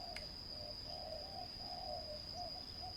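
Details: Spotted dove at a ground decoy trap making brief low coos in a short sequence. One sharp click sounds near the start, over a constant shrill insect whine.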